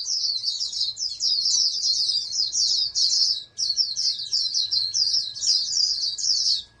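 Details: Captive oriental white-eye from a breeding stock, raised as a future national champion, delivering a long, nearly continuous stream of high, quick, chattering warbles with only brief breaks.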